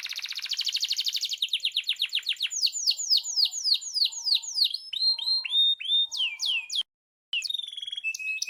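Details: Loper canary song, part of fourteen variations: a dense fast trill that slows into separate sweeping downslurred whistles, then brief high chirps near the end.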